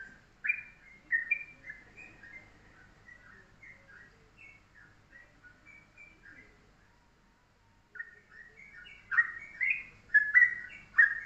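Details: Yellow-vented bulbul, known locally as trucuk, giving its morning tutoring song in the compact 'pendek rapet' style: a run of quick warbled phrases, a quieter pause near eight seconds, then louder liquid bursts resume.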